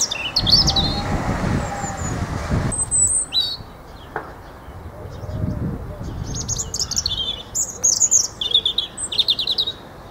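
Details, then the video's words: European robin singing: high, thin, varied warbling phrases with sharp trills and slurred notes, given in bursts separated by short pauses, over a steady low rumble of wind or handling noise. "The Song of the Robin Redbreast"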